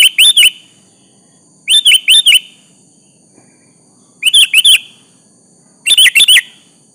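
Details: Singing sooty-headed bulbul challenging a rival to reply, giving repeated clusters of three or four loud chirpy whistled notes about every two seconds over a constant faint high-pitched hum.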